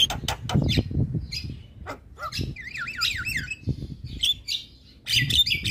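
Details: Asian pied starling in intense song meant to provoke neighbouring starlings: a mix of harsh squawks, short whistles and a fast warbling, wavering phrase, with low rumbling noise underneath.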